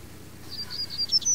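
A female double-collared seedeater gives a quick run of high, thin chirps and short whistled notes, growing louder toward the end over faint low hum.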